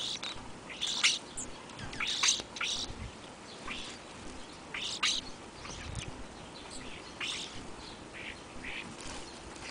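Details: European starlings feeding in the afternoon ahead of a February blizzard, giving scattered sharp clicks, rasps and high squeaky notes in irregular bursts against a low rumbling background.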